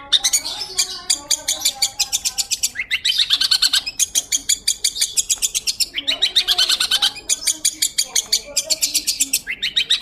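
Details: Clear, energetic long-tailed shrike song meant as training audio for white-rumped shamas: long, rapid, rattling trains of dry clicking notes, broken by short buzzy slurs, going on without a break.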